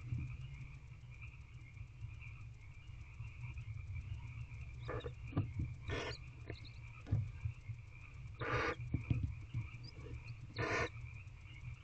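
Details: Barn owlet in a nest box, evening of 15 April 2023, after the male delivers a rodent: scattered rustles and thumps, then three short rasping hisses spread over six seconds, over a continuous low electrical hum.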